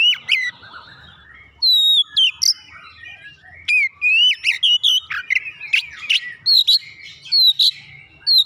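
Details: Oriental magpie-robin, a kept bird induced to sing, gives a lively mix of whistles, sharp chips and slurred notes in irregular bursts over a faint low hum.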